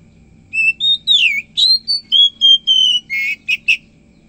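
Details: Oriental magpie-robin (kacer) singing energetically in the morning: a clear phrase of sweet, high whistled notes, some sliding downward, ending in three short rapid chattery bursts; quiet low hum underneath.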